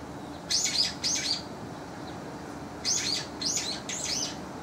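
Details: Young brown-eared bulbuls compete in calling during the spring-to-summer season, giving strident high squealing notes: a pair, a pause of about a second and a half, then three more in quick succession.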